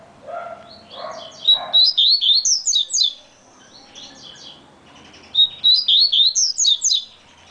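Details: Yellow-bellied seedeater (coleiro-baiano), said to sing very fast: two quick bursts of high, sweet, slurred chirps, about eight notes each, separated by a few seconds' pause, with faint low murmuring before the first phrase.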